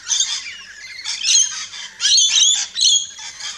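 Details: Several rainbow lorikeets chirp and squawk at a backyard feeding station in Australia, giving sharp screechy phrases in about four bursts separated by softer chatter.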